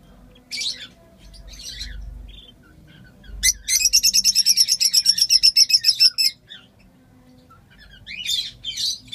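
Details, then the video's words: A brood of five young lovebirds hatched at once: a rapid run of about twenty sharp, even chirps over two seconds, framed by scattered high scratchy peeps and quiet gaps. "Agapornis pichones"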